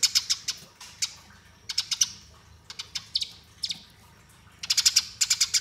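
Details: Fighting Eurasian tree sparrow serving as master recording for training; uneven bursts of high chirps and a few slurred notes, finishing with a fast run of about eight.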